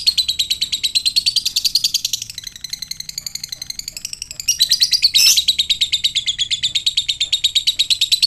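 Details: Fighter lovebird in prolonged ngekek, sung to draw responses from other lovebirds: a continuous shrill trill of rapid buzzy pulses, softening briefly in the middle, then swelling again with a harsh burst before steady chattering resumes.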